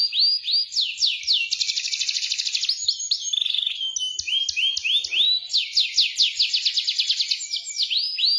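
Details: Canary song played as a lure to prompt a silent canary to sing in the rolling ngeroll style: curving upswept notes, then a fast buzzy trill, short whistled slides, and more rapid rising notes repeated in quick series.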